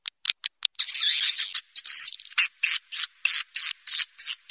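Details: Swiftlet lure call, played through an amplifier to attract swiftlets: a burst of high, dry twittering chirps, then a steady string of short buzzy chirps repeated about three times a second.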